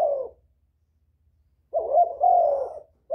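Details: Spotted dove call used to lure wild doves: a long pause, then a drawn-out two-part hoarse coo, loud and close, with another coo starting at the end.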